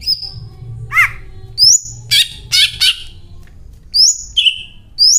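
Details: Greater green leafbird (Chloropsis sonnerati), mimicry song.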